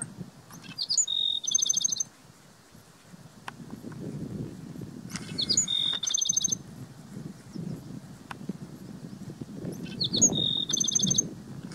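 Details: Black-throated sparrow song from Gunlock Reservoir, Washington County, Utah, 12 May 2016: three phrases several seconds apart, each of brief introductory notes then a rapid, slightly buzzy high trill, with low wind-like rumble underneath.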